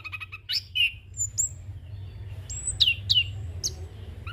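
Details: Young orange-headed thrush song used for training and luring: a few sharp chips, then separate high whistled notes, some sliding downward, spaced by short pauses, with a low background hum.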